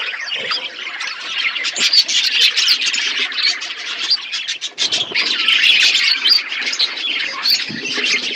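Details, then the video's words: Budgerigars in an aviary set in a forest environment, a flock giving dense, continuous high chattering and warbled chirps with quick overlapping squeaks throughout. "Budgies parrot in forest environment aviary birds chirping sound"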